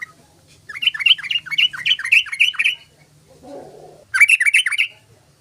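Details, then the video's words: Yellow-vented bulbul song used as a lure for other bulbuls: a long burst of rapid, bubbling chatter, about four notes per second, a short muffled rustle, then a second fast chattering burst. "TRUCUKAN SUARANYA COCOK UNTUK PANCINGAN BURUNG TRUCUKAN"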